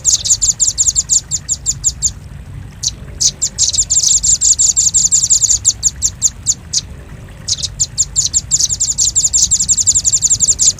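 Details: A velvet-fronted nuthatch lure recording: long runs of rapid, shrill chips, two silent gaps, then renewed dense chattering bursts at a steady fast pace.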